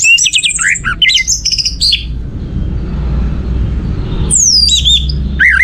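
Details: Orange-headed thrush song for stimulating other birds: a fast, varied run of whistled and buzzy notes, a quiet gap of low noise, then a high descending whistle and further warbles.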